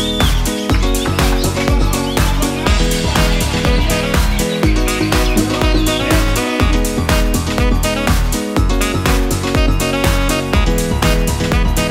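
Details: Loud electronic dance music with a steady, driving beat fills the whole recording; no birdsong or other animal voice stands out.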